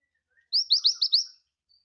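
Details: Scarlet minivet in full song as a tutor recording for other birds: a single quick run of five bright, sharply upslurred whistled notes, evenly spaced and clear, with no other sounds.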